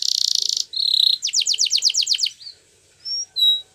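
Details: Training song of a Spanish Timbrado canary: a buzzy trill, a level whistle, a row of loud sweeping notes at about five per second, then a few sparse pure whistles.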